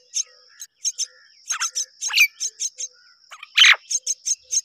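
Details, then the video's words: Mynas, both parents rearing babies: spaced sharp high chirps, a cluster of quicker notes, then a loud harsh grating squawk, against a constant faint high-pitched drone. "Both myna are rearing the babies together"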